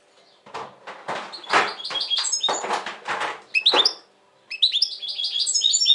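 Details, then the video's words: European goldfinch in 2020, described as very tense lately: lively twittering and chirps heard amid repeated loud thumping knocks, with continuous trilling at the end. "Saka kuşu ötüm"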